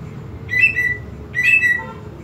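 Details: Greater green leafbird song used to provoke aggression in other birds: two short bursts of loud whistled notes near the same pitch, with faint background hum.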